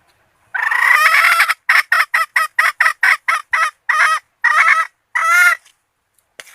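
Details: Red junglefowl hen kept as a lure for males: a long, hoarse opening note, then a rapid string of about ten short cackles, and finally three longer drawn notes spaced apart, with a quiet background.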